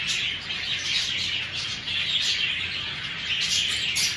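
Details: Lovebirds in a breeding aviary: a dense, continuous chorus of high, shrill chirps and squeaky twitters from many birds at once, with no pauses.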